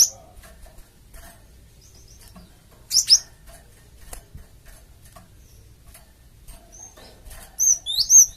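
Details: A Java sparrow lure call intended to make other birds respond: a sharp chirp opens, a double chirp follows mid-way, then a looser series of thin, twisting high notes ends it.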